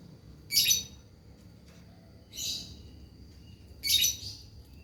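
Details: Lovebird in a dry-voiced style used as a lure, giving three short, high, scratchy chattering bursts about every one and a half seconds, with a faint low hum in the background.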